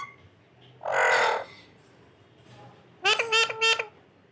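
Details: Parrot talking: a harsh, raspy burst of vocalising, a pause, then a rapid run of three squeaky, harmonic-rich chattering notes.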